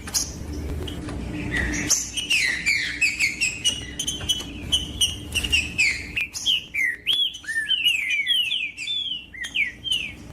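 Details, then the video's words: A green-winged saltator (trinca-ferro) sings to warm up other birds: dense chattering whistles give way to a clear series of curved, looping whistled notes repeated rapidly, over low background rumble early on. "TRINCA FERRO PARA ESQUENTAR TRINCA FERRO COM TRINCA FERRO CANTANDO"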